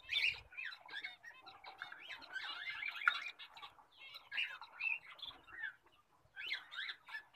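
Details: A full orange zebra finch (Taeniopygia guttata) calls among several zebra finches, which chatter with rapid, nasal, toy-trumpet beeps and buzzy notes that overlap.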